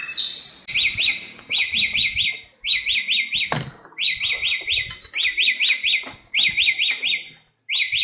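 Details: In the wild in Indonesia's Nusa Tenggara, a samyong (Bare-throated Whistler, local name garugiwa) sings bursts of three or four fast wavering whistled notes, each bout repeated about every second, with a sharp click midway and faint low rustling.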